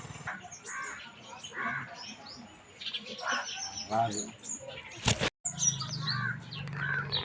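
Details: Sparrows in a village chirp steadily in short, bright, high notes, often overlapping in a busy chatter, while a man talks over them and a sharp knock cuts in.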